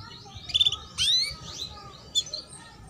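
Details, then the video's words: Female canary chirping to spur young birds into song and raise their breeding drive; thin high chirps and sweeping up-slurred whistles in short bursts, against a steady rumbling background noise. "Pancingan Kenari BETINA Cuit Cuit"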